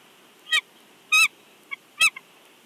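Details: Bald eagle at the Big Bear nest, heard through a live nest camera: three loud, harsh squealing notes spaced about half a second apart, with a faint softer chirp between and a short clipped note closing.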